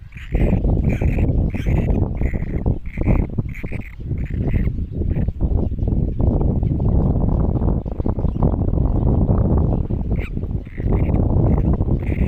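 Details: Great Cormorant chicks calling: short harsh nasal bursts repeated about twice a second in runs, with brief pauses near four and ten seconds, over a constant deep rumble of wind or handling noise.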